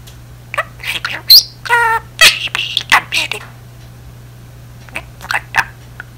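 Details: Pet budgerigar talking to itself like a chatty auntie: scattered scratchy syllables, a high squeak, a warbling overtone-rich phrase and harsh bursts, followed by quieter sparse chatter against a faint hum.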